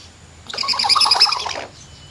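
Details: Common hill myna sunbathing after a mist-spray bath, recorded 11 December 2015: one loud, harsh, harmonic-rich squawk of about a second, rough and chattering across a broad range, set against a quiet low hum.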